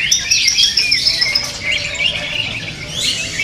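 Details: Greater green leafbirds duelling at a songbird contest pour out a loud, rapid stream of bright whistles and chattering trills, several birds overlapping in an unbroken high-pitched medley.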